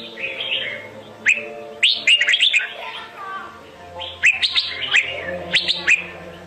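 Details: Decoy fighting song of a red-whiskered bulbul, meant for trapping and for training birds to sing: two bursts of rapid, bright chirping phrases separated by quieter warbling, with a faint steady hum behind.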